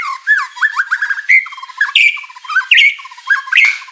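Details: White-rumped shama singing vigorously with varied filler material to provoke rivals: quick rolling chirps, buzzy rattles and bright whistled notes rising and falling in an unbroken, hurried stream.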